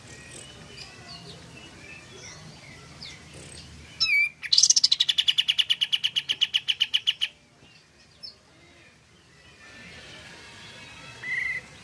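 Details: Pied fantail singing vigorously as a lure for other pied fantails: a sharp slurred note leads into a steady, rapid series of high ringing pulses for about three seconds, easing slightly lower, then faint distant notes.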